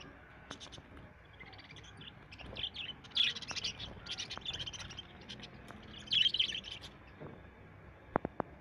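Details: Pet budgerigars kept for sale in Malerkotla, Punjab, chatter in bright, scratchy chirps with two louder bursts, then a few sharp clicks.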